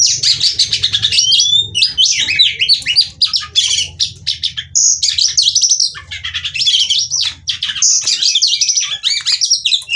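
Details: Caged female Oriental magpie-robin, Cirebon, Indonesia, performing ngobra display with a seductive call used as singing therapy for males: sustained torrent of high chirps, buzzy trills and whistles with short breaks, faint low droning behind.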